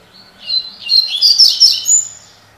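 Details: Double-collared seedeater singing the tui tui (tocó) song style, a spirited bird: a quick high phrase of sharp buzzy and whistled notes in about five bursts over two seconds, clean background.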